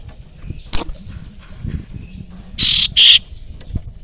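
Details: Wild young common iora, called cipoh sirtu and kept as a lure: a pair of loud, rasping buzzy notes near the end, preceded by faint clicks and low background rumble.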